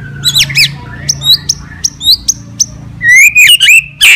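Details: White-rumped shama fighting song, meant to provoke other shamas: sharp upward-swept notes in quick pairs, then a run of clipped high chips and rising whistles ending in loud rapid phrases, over a faint low hum.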